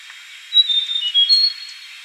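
A Yellow-bellied warbler gives a brief burst of thin, high, level whistled notes lasting about a second, over a steady background hiss.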